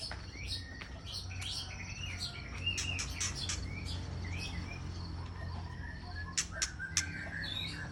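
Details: White-rumped shama from Aceh singing as a lure for trapping birds: quieter, busy mix of quick chirps, slurred whistles and sharp high clicks, irregularly spaced, with a constant low hum beneath.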